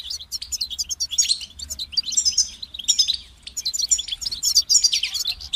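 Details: European goldfinch delivering a motivating song: sharp, high chirps and rapid tinkling twitters in dense phrases, separated by brief gaps, clean and without other sounds.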